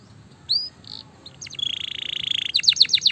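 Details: Gloster canary, a fighter bird, singing more quietly: scattered whistles and a short buzzy note, then a long buzzy rattle and quick downward chips, over a soft background hiss.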